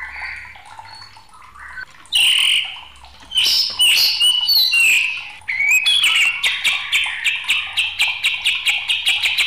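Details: A raging white-rumped shama sings a quiet, wavering opening, then loud, varied scratchy phrases, ending in a fast stuttering series of clipped notes repeated several times a second.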